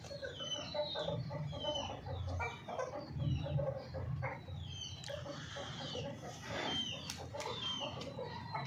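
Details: Hens clucking in a series of short, rough, repeated notes with some louder bursts. Faint high whistled calls from other birds sound behind them.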